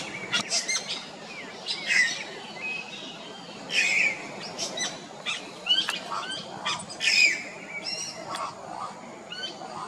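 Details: Yellow-rumped cacique, Comandatuba Island, Bahia, Brazil, 2020, giving a varied mix of short rising whistles, raspy squawks and crackling notes in loose bursts every second or two.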